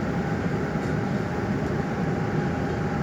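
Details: Steady low rumbling machine or train-like noise with a constant hum fills the recording, and no animal voice stands out.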